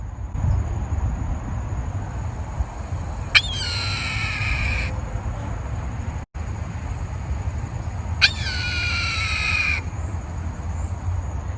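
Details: A Red-tailed Hawk, a large meat-eating bird common to the local area, gives two hoarse, drawn-out screams. Each is a raspy downward-slurring kee-eeer lasting over a second, about five seconds apart, over a low steady rumble.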